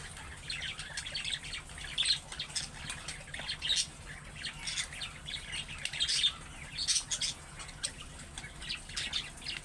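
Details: Budgerigar calls in the calling style of young birds, meant to prompt other budgies to answer: a steady run of short, scratchy high chirps and squawks over nearly ten seconds, with a soft low hum underneath.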